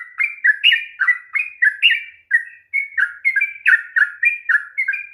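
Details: Sooty-headed bulbul in energetic ropel song to coax a silent bird into singing; lively whistled chirps in quick pairs, brief pause midway, then continuing.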